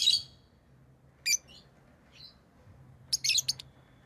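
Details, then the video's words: Pet lovebirds chirping: a loud shrill burst opens, then scattered short high squeaky chirps and a quick cluster of sharp broadband notes near the end, with quiet gaps between. "Love birds Sounds | lovebirds chirping sounds"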